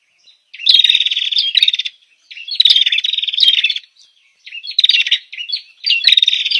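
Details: Female bar-winged prinia, recorded for bird training. Bursts of rapid, scratchy chirping last about a second each, separated by short pauses, bright and buzzy against a silent background.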